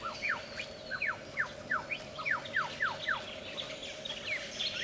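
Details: Australian lyrebird, a mimic whose song serves courtship and territory defense. Quick descending whistled slurs repeat about twice per second, with a steady low hum throughout.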